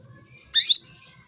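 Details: Female canary calling to males, a call said to bring them into breeding condition: a single short, bright, buzzy chip lasting about a quarter second, in a quiet room with faint low hum.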